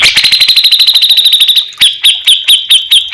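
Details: Grey-cheeked bulbul from Java giving a fast, buzzy trill of rapid, evenly spaced notes, which breaks into a slower run of loud, ringing whistled notes with sharp downward flicks, about five per second.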